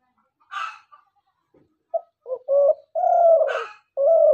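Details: Dove call used by hunters as a lure: after scattered faint notes, a run of low, steady coos, each about half a second, follows close together. A brief harsher, broader squawk cuts in between them.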